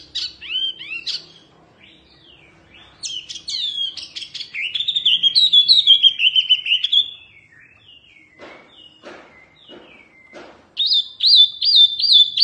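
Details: Oriental white-eye singing a mini, fierce song: high thin whistled phrases with sharp slurred notes and rapid chips, bursts separated by quieter pauses, ending in a fast repeated trill.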